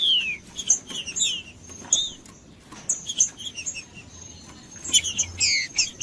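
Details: Macheando song of a green-winged saltator (trinca-ferro), sung to warm up rival males: a falling whistled note opens, then scattered short slurred whistles and high chips with quiet gaps, ending in a cluster of descending whistles.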